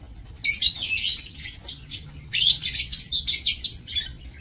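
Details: Aviary lovebirds on 7 June 2024 giving dense, high, scratchy chattering, an early burst followed by a rapid run of rhythmic shrill notes about five per second.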